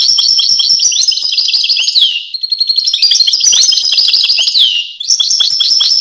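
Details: European goldfinch singing a fast, tinkling twitter of high notes with descending slurred sweeps, one long phrase broken by a brief pause, then resuming; clear and close with no other sounds.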